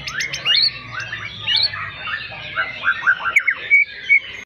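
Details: White-rumped shama song of quick rising whistles and sharp chattering notes at first, then spaced, clear whistled notes given one after another toward the end.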